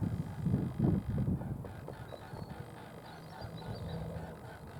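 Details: Mute swans in flight over a lake on 10 April 2022, their wings making the characteristic low, rhythmic throbbing of about three beats a second, strongest early on and fading under a soft background hum.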